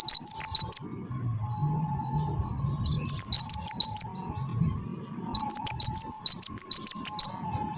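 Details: Gelatik batu wingko, the Java sparrow, with song meant to lure other caged birds into singing: three bursts of quick, piercing high chirps at roughly two per second, a faint steady tone running between them.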